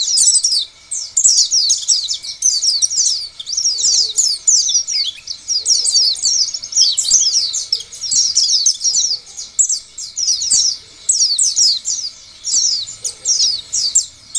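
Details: Oriental white-eye lure song used to set other white-eyes singing; long continuous stream of high, fast, twittering chirps and trills in dense bursts with short pauses, faint low hum in background.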